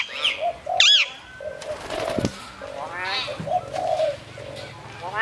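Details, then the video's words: Captive common hill myna at Cambodia's Phnom Tamao Zoo, said to speak. Two sharp, rising-and-falling harmonic calls open the clip, followed by broad wavering notes and a soft upward sweep, over repeated low dove coos. "សារិកាកែវ វង ចេះនិយាយ នៅឧទ្យានសួនសត្វភ្នំតាម៉ៅ | Hill Myna can speak in Phnom Tamao Zoo"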